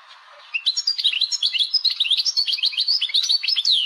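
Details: Algerian goldfinch, a caged songbird, singing in the laglag style. After a brief quiet start comes a fast, unbroken run of bright, high twittering notes and sharp tinkling trills that continues without pause to the end.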